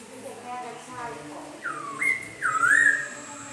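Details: A Black Laughingthrush sings in the rain, giving loud, rich whistles: a swooping note that rises and falls, then a quick looping phrase, over a low, steady background hum.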